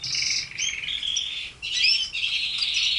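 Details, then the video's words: Pet red canaries in song, with rapid buzzy trills and high chirped notes broken by brief pauses, then a louder rolling, warbling run in the second half. "Canary sings"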